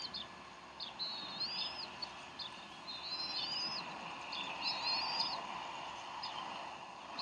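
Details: Bald eagles at the Decorah nest, 12 April 2012, 3:10 pm Central Time, as the mother feeds the young: three high, wavering whistled slurs, each with short chirps around it, over a steady hum.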